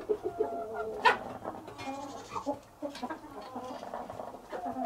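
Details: Hens laying eggs, domestic chickens: a mix of bleating-like squawks, short clucks and one sharp cackle, delivered in irregular bursts with brief quiet gaps.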